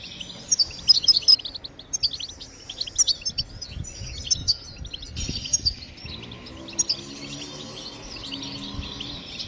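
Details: European goldfinch batbatat phrases for stimulating song in other birds: sparkling high chirps and twitters, loud at first, then a softer, more continuous twittering run in the second half.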